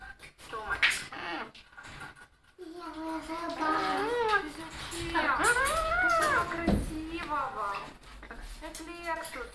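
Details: Male pet Eclectus parrot (Eclectus roratus), shown a video of himself and taking it for a rival, scolds in a run of harsh, speech-like chattering with rising and falling nasal tones while a person talks to him.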